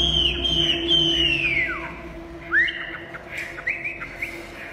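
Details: Tame, hand-carried Chinese hwamei, caged and facing a mirror since it has no rival at home, sings long clear whistles that bend and drop, then shorter upslurred notes and chips, over a steady low hum.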